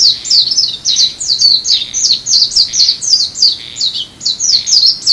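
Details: Amami in February, a Japanese white-eye gives a steady, unbroken string of sharp, high, descending chips in quick succession for five seconds, clear above a quiet background.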